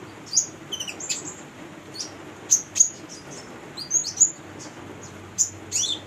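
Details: Female brown-throated sunbird used as a singing tutor for young birds, giving scattered sharp, very high chirps and thin whistled notes, singly or in pairs, with gaps of about a second between.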